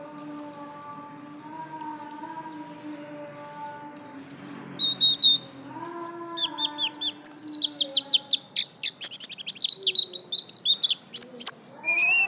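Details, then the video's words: Pleci, a white-eye, singing gacor lasroll: spaced high chirps roughly every half second at first, then a dense, rapid burst of repeated high notes, with steady low humming tones and a thin high whine. "Pleci Gacor lasroll"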